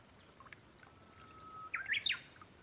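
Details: Brown-eared bulbul visiting a backyard bird feeder gives a short run of three loud, shrill squealing notes, each sweeping sharply up and down. A thin steady tone hums faintly beneath in a quiet outdoor setting.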